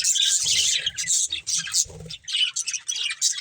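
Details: Budgerigar breeding pair chirping in uneven high bursts of twittering notes, with a low rumble underneath during the first two seconds.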